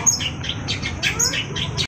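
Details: Vigorously singing long-tailed shrike delivering a short string of high, sharp chirps and squeaks spaced roughly a quarter-second apart, with low background rumble.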